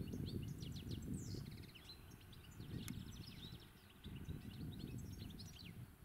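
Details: Spring song of a European goldfinch, recorded live: quick, tinkling twitters and short trilled phrases tumbling one after another, over a constant low background rumble and one brief click.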